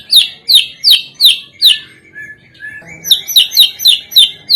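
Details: White-rumped shama, song played as a lure to prompt other birds to sing: quick, evenly repeated high chirps, a brief softer pause with a thin whistle, then the chirping resumes.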